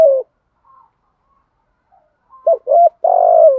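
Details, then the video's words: Spotted dove 'thúc gù' cooing for luring, male and female birds: the tail of one coo, two seconds of near silence, then a clipped double note and a long, steady, husky coo that drops at the end. "chim cu gáy thúc gù/ tiếng chim cu gáy mồi bài bản giọng hay thúc gù cả ngày"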